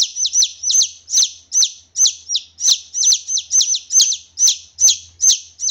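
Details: Junglefowl chick (kasintu), loud and clear calls used as a lure for catching wild junglefowl: high, sharply descending peeps repeated about twice per second in an uneven run, some notes overlapping, with a faint low rumble underneath.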